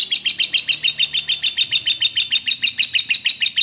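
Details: Lovebird ngekek song, used to stimulate other lovebirds to sing: a fast, even run of sharp, high chattering notes, about three per second, sustained with no pause throughout.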